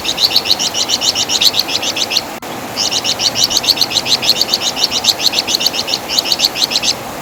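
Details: Loud song of the Javan fulvetta (wergan jawa) for training songbirds: long trains of rapid, sharp, high repeated chirps broken by two short pauses.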